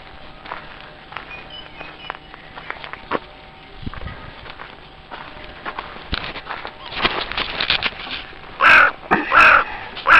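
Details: Crows at a zoo on Pentecost Sunday morning: three loud, harsh caws near the end, each about a third of a second apart, after quieter scattered calls and background rustling.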